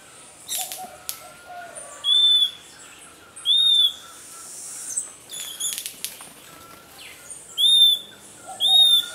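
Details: Endemic Puerto Rican flycatcher guarding its nest from a predatory pearly-eyed thrasher, giving brief, bright, upslurred-then-falling whistles in pairs every second or two, between fluttering wingbeats and scuffling attack sounds.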